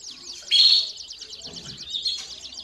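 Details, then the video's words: Short stretch of domestic canary singing, played as a tutor for young birds: a sharp bright note followed by a quick rolling trill of repeated chirps. "CANÁRIO DO REINO CANTANDO E CHAMANDO ÓTIMO TREINO PARA FILHOTES!!!"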